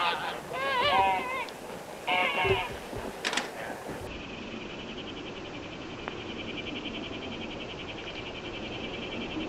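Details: Common cranes from a summer gathering of about 100 non-breeding birds at a lake shore, 2019, where they spend the night; loud harmonic trumpeting calls overlap in the first four seconds, then a steady buzzing hum continues.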